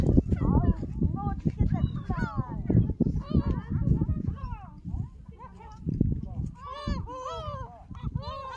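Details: Seagulls around Jeongok Port and Jebudo Island, Korea, smartphone recording made while walking: dense low rumble and thumps at first, then a flurry of clear arched yelping calls crowding the last few seconds.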